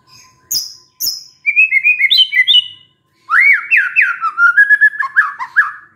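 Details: White-rumped shama described as stressed, bursting into song on hearing a lure recording. Two sharp high chips, then quick whistled phrases, then a run of loud slurred rising-and-falling whistles, each under half a second.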